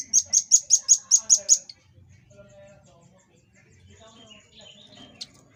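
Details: Velvet-fronted nuthatch recorded as training material for cage birds, delivering a 'tembakan' volley: seven piercing high notes in quick, regular succession, then near silence with faint background murmurs and one last isolated chip.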